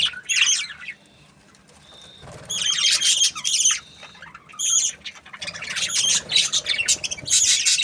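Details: Budgie parrots give a burst of shrill chirps, fall nearly silent for a second, then break into loud harsh chatter in several groups, with a few thin whistled notes between.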